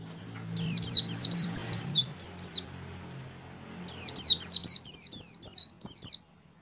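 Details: Kept white-eye singing energetically, played to stimulate other caged white-eyes to open their beaks and sing: two bursts of rapid, high, sharply down-slurred chirping notes, each about two seconds long, separated by a pause; low hum beneath.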